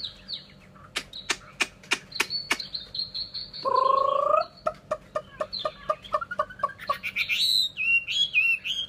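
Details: Chinese hwamei, a Vietnamese cage bird, giving a series of sharp clicks, a short harsh buzzy stretch mid-phrase, then quick rising notes and loud warbled whistles at the end.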